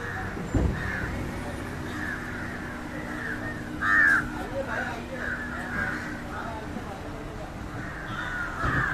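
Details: Indian jungle crow (Corvus culminatus) feeding on fish gives scattered hoarse caws, one much louder and closer near the middle, over a constant low hum and a brief thump at the start.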